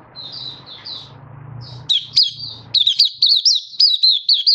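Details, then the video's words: Malaysian white-eye singing an opening song in Kitaro style, kept in the bird hobby in Singapore on a stable, warm, sunny day, 20 March 2023: faint thin notes over a low hum, then bright warbled high phrases with rapid repeated upslurs. "Malaysian Mata Puteh Happy Buka Sing Kitaro"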